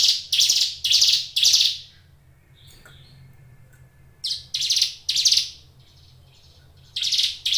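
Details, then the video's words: Brown Prinia (ciblek gunung), a caged songbird, singing in short bursts of three or four rasping, buzzy high notes, separated by quiet gaps of about two seconds. "suara ciblek gunung gacor"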